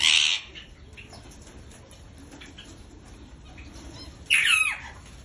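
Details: Parrot giving two brief, harsh squawks about four seconds apart, with faint background hiss between them.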